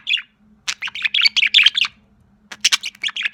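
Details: A sociable young budgerigar chirps in a dense run of bright, squeaky twittering notes, pauses for about half a second, then resumes with louder chirps, a soft hum in the background.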